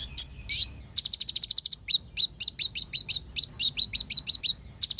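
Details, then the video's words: Olive-backed sunbird in energetic full song, used as a provoking lure with luxurious borrowed phrases; a few scratchy notes open into a rapid high trill, followed by repeated sharp, down-swept chips about three per second. "SUARA BURUNG KOLIBRI NINJA GACOR FULL NEMBAK ISIAN MEWAH !! PANCINGAN KONIN BAHAN AGAR CEPAT EMOSI"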